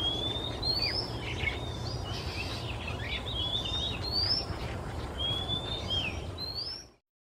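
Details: A male Oriental magpie-robin sings in Singapore on a quiet afternoon, hopping perch to perch. A rich run of bright rising whistles with quick downward chirps and twittering notes plays over a low steady hum, then the sound cuts off.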